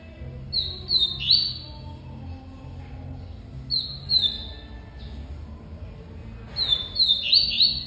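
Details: Double-collared seedeater, called coleiro, singing: three short phrases of bright, high whistled notes with quick slurred flourishes, spaced a few seconds apart over a steady low hum.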